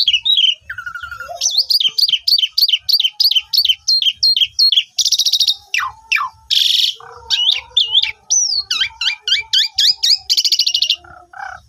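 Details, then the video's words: Asian pied starling singing in full to prompt silent starlings to join in: long runs of quick repeated chirping notes, sharp downslurred whistles, harsh grating bursts and fast trills, delivered almost without pause. "Pancingan Jalak Suren 100% Jitu !! Jalak Suren Macet Langsung Ikut Gajor Full Isian"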